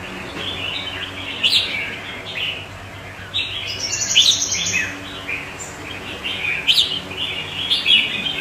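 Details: Red-whiskered bulbul performing alongside neighbouring birds, bursts of bright warbled whistles separated by short pauses, some notes sliding sharply upward, against a quiet hum.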